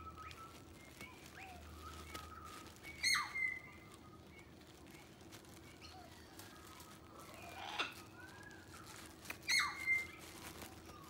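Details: Kookaburras at a house deck in the early morning giving two short, harsh, squawking bursts about six seconds apart, with faint chirps from other birds in between over a quiet outdoor hum.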